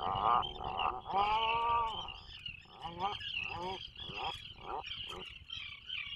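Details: Nesting-burrow recording of an Atlantic puffin 21 miles off Maine, 2024: a run of rapid pulsed moaning notes, roughly three per second, with one longer rising-falling groan near the start, backed by a constant thin high whine.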